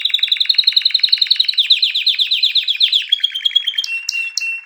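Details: Canary singing a rapid rolling trill of repeated chirped notes that slowly rises and speeds up, then shifts into a steady high whistle with a few sharp high chips at the end.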